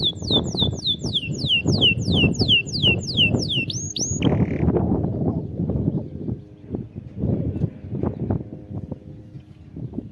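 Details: Canary song used to spur a quiet canary into singing: about a dozen rapid, downslurred whistled notes repeated in a quick series, ending in a short tone, followed by several seconds of loud low rumbling noise.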